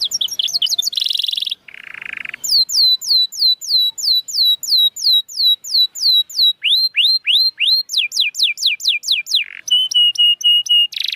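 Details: Canary song played to coax reluctant canaries into singing and raise breeding drive: a fast buzzy trill and harsh burst open, then long series of repeated falling whistled notes, switching to rising notes and ending in a rapid rattling tour.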